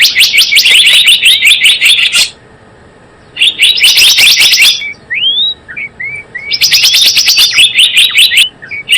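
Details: Java sparrow lure call for trapping: fast, harsh chirp bursts, a silent pause, then soft rising whistled notes before the loud chatter resumes.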